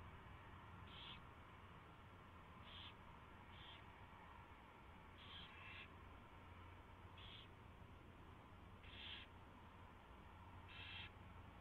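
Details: Owls at the nest, 4:21 AM on 24 February 2016, as a mouse is delivered and eaten: seven or eight brief rasping hisses at irregular intervals, a steady low hum beneath.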